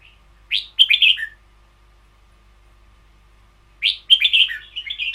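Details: Two loud phrases of 'boen yao' (long double) style song from a caged red-whiskered bulbul. Each is a quick tumbling sequence of clear, liquid whistles, separated by about two and a half seconds of silence.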